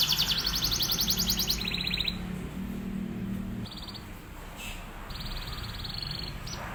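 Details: Fast drilling canary song used to train other canaries: a loud rapid pulsed trill for about a second and a half, then shorter scattered trill fragments and chips over a steady low background murmur.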